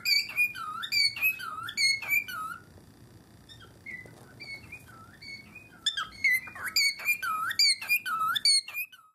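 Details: Captive cockatiels give an odd rhythmic call, triggered by the sight of the owner's feet. Bright whistled notes slide upward and fall in quick bursts; a quieter stretch of softer squeaks follows before the loud rhythmic phrases return.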